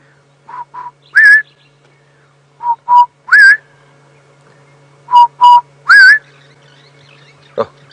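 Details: A distant Southern Boubou calls on a sunny morning at about 7:30 AM on 21 August 2016 at Djuma, South Africa. It repeats two low hollow whistles and a higher slurred whistle three times, about every 2.5 seconds, over a steady engine hum.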